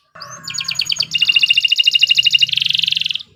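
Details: Canary singing steadily for training other birds. A rising whistle opens into a pulsed double-toned trill, then a denser ringing roll. A faint low hum runs underneath.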